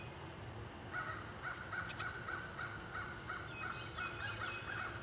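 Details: Eastern bluebird young in a backyard nestbox in Rochester, NY, being fed by adults, beg with a steady run of short, mid-pitched chirps, about three a second, over a hissing background.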